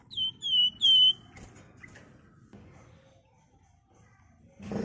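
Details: Wergan jawa (flamboyan), a Sunda warbler, in ngebren song used to draw flocking birds: three clear whistles, slightly falling in pitch, then near silence with a faint thud at the end.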